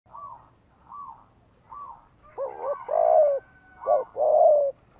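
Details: A Spotted dove cooing call used as a decoy to provoke and lure other doves: three soft, short coos, then a louder, fuller phrase of throaty, rolling coos, all low and mellow.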